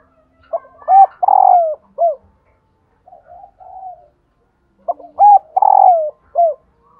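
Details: Hen spotted dove call meant to encourage males to coo. Two full phrases, each with quick introductory notes, a long vibrating coo falling in pitch and a short final coo. Gentle, quieter coos fill the gap between them.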